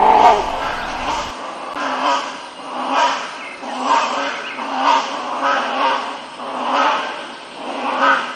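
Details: A caged great hornbill gives loud, harsh, nasal barking notes, about one per second in a steady series, with a brief low rumble at the very start.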